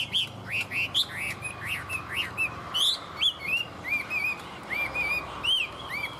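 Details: Tame Chinese hwamei singing well, a run of loud clear whistled notes, many rising then falling or looping, given in quick varied phrases about every half second with brief buzzy accents.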